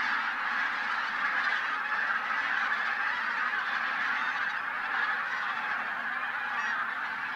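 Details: Bean and white-fronted geese, a troop of over a thousand, taking off before sunrise at the Linum pond area, Brandenburg, Germany, in winter. Constant layered honking from the whole flock without pause.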